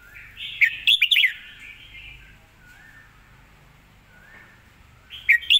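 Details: Red-whiskered bulbul singing a song praised for good style, clear delivery and a quick, clear voice: a bright warbled phrase at the start, quiet gap, then another sharp burst of notes at the end.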